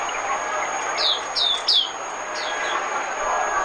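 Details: Oriental white-eye decoy song used to lure birds for trapping: high, thin descending whistled slurs given in quick bursts, with a steady high electronic tone throughout.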